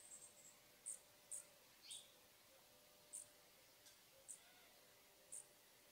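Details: Costa's hummingbird gives very high, thin, sharp chip notes, single and clipped, spaced irregularly about half a second to a second apart over a soft background hiss.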